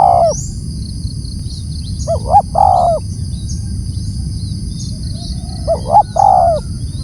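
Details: Spotted dove giving loud calls: two short rising coos followed by a longer, drawn-out descending coo, phrase given twice with a pause between, over a steady low rumble and faint high whining tones.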